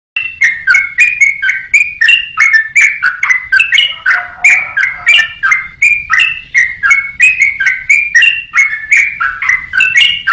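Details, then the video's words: Yellow-vented bulbul song, made as a master recording for training songbirds: fast, continuous run of bubbly whistled notes, each dipping and rising, repeated about three times a second with no pause, plus a brief lower warble midway. "KICAU BURUNG TRUCUKAN"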